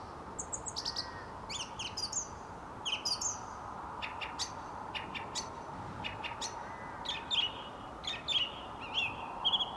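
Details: Dusk song from a song thrush outside a studio: phrases of sharp descending notes repeated in pairs, then a run of clipped high clicks and brief whistled flourishes, with low steady background noise.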